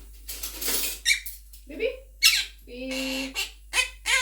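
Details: A pet monk parakeet, also called a Quaker parrot, talking and singing with its owner indoors gives harsh bursts and a steady held note, mixed with speech-like squeaky syllables repeated irregularly.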